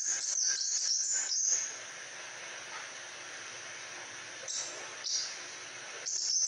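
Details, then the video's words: Crimson sunbird used as a model bird for training other songbirds, in lively song: quick strings of shrill, high-pitched chips at the start, a quiet gap, then further short sharp bursts of thin twittering notes near the end. "Burung "KOLIBRI SPAH RAJA" Gacorr !!!"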